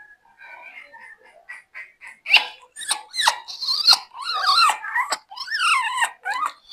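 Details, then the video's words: A 20-year-old African grey parrot whispers into a person's ear. The sound is soft, breathy and speech-like. It starts as faint murmurs, then grows louder with rapid chattering syllables and gliding squeaky tones. "20 years old African grey parrot, Karma whispering to my ear."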